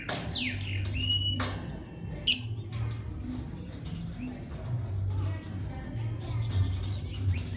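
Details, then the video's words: Lovebird giving shrill, rising chirps and one sharp squeak in quick bursts, over a steady low background hum and music. "Lovebird Chirping Sounds"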